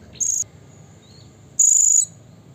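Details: Blue-crowned hanging parrot calling to provoke rival birds: two shrill, very high buzzy notes, the first short, the second longer at about half a second, a second apart.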